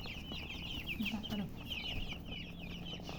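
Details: Chicken chicks calling together in quick high peeps, falling chirps packed closely, with a brief lower murmuring sound near the middle and a low hum behind.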